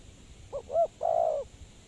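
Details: Spotted dove used as a lure for trapping birds, giving two short arched notes followed by a longer, husky, drawn-out low coo.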